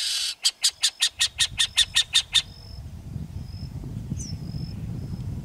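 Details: Burrowing owl (Athene cunicularia) call: a harsh, rasping chatter of about ten quick notes in two seconds, followed by thin high whistles from another bird over low wind rumble.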